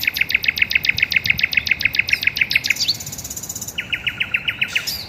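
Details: Garden birds singing: a fast, even series of bright repeated notes, about four per second, breaks into a brief trill, then resumes with the same rapid chip series.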